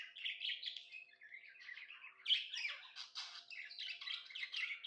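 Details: Happy pet budgie chattering indoors, a continuous buzzy, scratchy warble of rapid chirps and squeaky notes with a sharp louder chirp midway.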